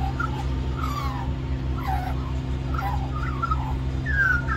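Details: Little magpie in Cirillo Reserve, Middleton Grange, New South Wales, Australia, singing at lunchtime to beg for more mango. Short warbled, gliding notes come in loose bursts over a steady low hum.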